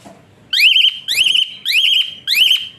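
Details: Whistling Asian pied starling, a song offered to train other birds and rouse lazy singers. Four drawn-out whistles, each rising sharply and then holding a steady, slightly wavering high tone for about a third of a second.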